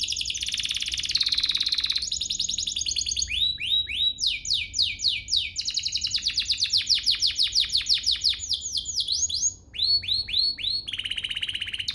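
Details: Canary song meant to trigger other canaries to sing, a long varied performance: buzzy trills, series of sharp downward-sweeping notes, fast rattles and rolling phrases, loud and continuous throughout.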